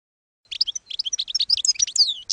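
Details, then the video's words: Campero-style European goldfinch song for training young goldfinches: a quick, liquid twittering run of varied high notes, tinkling and slurred, delivered without pause after a brief silence. "NUEVO CD CAMPERO PARA EDUCAR JILGUEROS"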